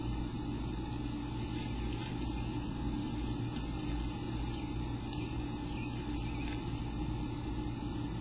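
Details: Steady engine hum with a constant low drone and humming tones throughout, like an idling vehicle, and no animal voice.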